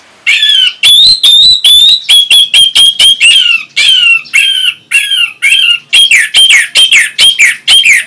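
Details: Orange-headed thrush (anis merah) from Singaraja, North Bali, singing as a stimulus to prompt other birds to answer; rapid run of loud, varied whistled and slurred notes, about two per second, some rising, some falling, indoors.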